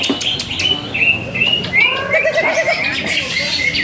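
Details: Greater green leafbird, a competition songbird that won first place two seasons running, singing clear whistled notes that slide up and down in a lively, irregular run, with other birds chirping and people talking in the background.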